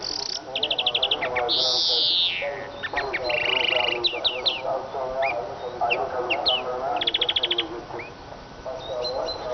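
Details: Siskin song mixing fast high trills, a drawn-out descending wheeze and buzzy phrases, over a busy layer of lower warbling and clicks.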